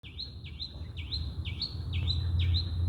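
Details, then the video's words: Bird chirping at sunrise: a steady series of six high, dipping-then-rising chirps, roughly two a second, over a constant low rumble. "Moon during sunrise with birds chirping"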